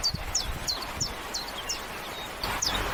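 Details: Common chiffchaff giving a string of high, sharp, downward-slurred notes, about three per second with a short pause before the last pair, over low rustling and thumping handling noise.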